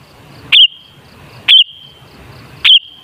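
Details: Sooty-headed bulbul, played as a lure to make bulbuls sing: three short bright chirped notes roughly one per second, each a quick upward flick followed by a lingering level whistle.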